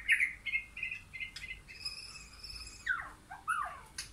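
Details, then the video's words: White-rumped shama, wild and caged birds in a backyard forest: a series of pure whistled notes, then long sustained high tones and swooping downward slurs, with a few sharp clicks. "Wild Shama vs Caged Shama coming to this backyard forest"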